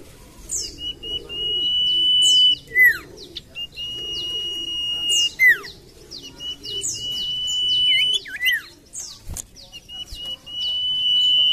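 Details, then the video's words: Common iora lure song: long level high whistles repeated several times, each closing with a sharp falling note, with occasional looping phrases between. Rapid thin high chirps repeat throughout behind the song. "PANCINGAN BURUNG SIRTU / CIPOH MALAS BUNYI"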